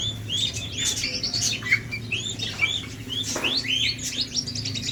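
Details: A captive White-rumped shama in an aviary in Aceh, described as jealous, gives a rich run of varied whistles and quick chirps. Several notes slide downward over a steady low hum.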